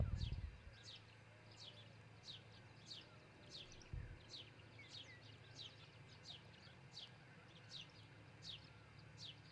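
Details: Osprey at the nest, Charlo, Montana, early morning 22 June 2018, nest camera: a steady string of high, falling chirps roughly twice per second, opened by a low rumble and one mid-clip thud, with hum.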